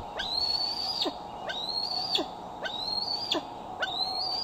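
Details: Bald eagle, a female carrying a newly fitted transmitter, at her Decorah branch on a July 2011 evening around 8:44 pm, from a nest cam: high whistled notes, slightly rising and dropping sharply at the end, repeated roughly once a second.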